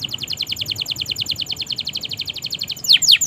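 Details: Canary song to make quiet and juvenile canaries respond: a dense, fast trill of repeated short notes for nearly three seconds, ending in a few louder sweeping whistles.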